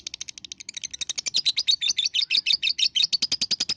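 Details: Lovebird lure song for stimulating young lovebirds under five months to sing: a continuous, fast, high-pitched chattering trill of evenly repeated notes that grows louder midway and keeps going to the end.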